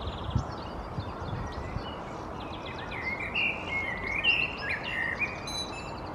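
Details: Perched in a conifer in Helsinki, Finland, April 2022, a common blackbird delivers a relaxed run of mellow, flute-like warbles after thin high twitters at the start, against a hiss of background noise.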